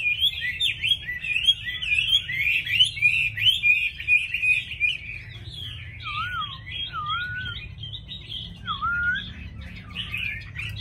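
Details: Caged Chinese hwamei in Vietnam, a bird that sings readily with a fine voice, pouring out a fast, varied, high warbling stream, with a few lower slurred whistles after six seconds.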